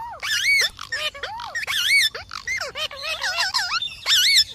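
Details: Green parrot chattering almost without break, a tumble of arched, rising and falling squawky notes and harmonic whistles, varied in pitch and crowded together.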